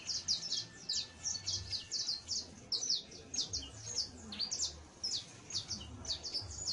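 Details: A young saffron finch (Sicalis flaveola) nestling gives its first songs, rambling practice song of high, scratchy chips and short trills tumbling together continuously, with a faint low hum beneath.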